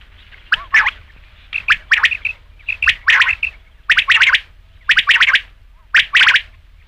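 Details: Rain quail voice meant for luring at night: rough, buzzy paired notes, sometimes tripled, repeated about once a second in an uneven rhythm, with thin lighter chips between bursts.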